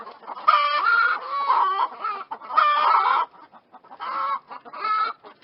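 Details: Several chickens clucking in bursts, with harmonic-rich squawks rising and falling around mid pitch, brief pauses between groups of calls.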